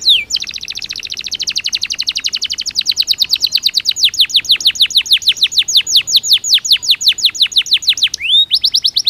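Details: Belgian canary singing naturally, aimed at training canaries to sing; one long rapid rolling trill of steep downward-sweeping notes, slowing slightly midway, then a brief rising whistle and a new fast trill.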